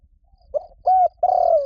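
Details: Spotted dove cooing for a mate, played as a lure: a soft short note, a clear level coo, then a long rolling note gliding downward, low and mellow against silence.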